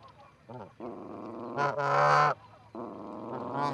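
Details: Two Canada geese calling at the Charlo osprey nest in Montana, 4-7-18, via nest camera: a few low grunting notes lead into a long, loud, strained honk, then a softer extended call.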